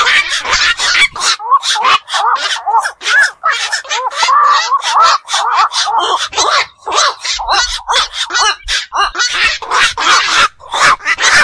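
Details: A long run of night calling from black-crowned night herons of ponds and beels: crowded harsh squawks and croaks packed closely, with wavering tonal notes, several birds overlapping throughout.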